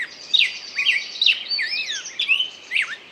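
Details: Brief stretch of rapid bird song, quick rising and falling whistles and sharp tweets tumbling together, over a faint high trill.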